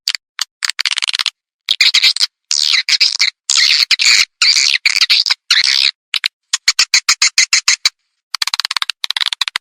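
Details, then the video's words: Edible-nest swiftlet calling sound played through newly installed tweeter speakers to attract swiftlets: dense bursts of rapid, high, chattering chirps and twitters in quick clusters, broken by short silences, with crisp clicking pulses toward the end. "SUARA PANGGIL BURUNG WALET"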